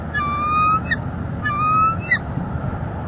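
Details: Bald eagle pair at a northeast Florida nest, live cam, December 2021; the female calls as the male brings nest sticks. Two quick bursts of high, squeaky whistled chips roughly a second and a half apart, over constant low rumble.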